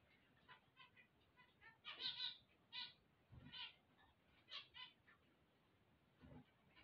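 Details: Zebra finches singing on waking: short nasal, harmonic beeping notes, mostly single and double, spaced irregularly over several seconds, with a few louder bursts and faint low thumps in between.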